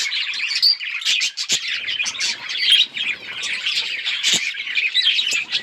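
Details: Several budgerigars chirping nonstop in a dense, scratchy warble of overlapping high chirps, squeaks, short clicks and sharper tweets.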